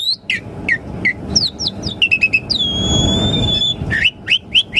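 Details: Asian pied starling song used as a lure to prompt caged birds to answer and sing: clear whistled notes and rising-falling slurs, a long sustained steady whistle mid-phrase, then quick upward slurred notes, over a low background rumble.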